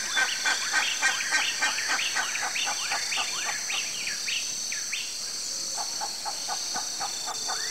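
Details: Campo flicker, a large South American woodpecker of open grassland that forages on the ground for ants and termites. Rapid run of sharp, chirping notes with falling inflections, about three per second, then a steadier string of shorter notes, over a constant high insect hum.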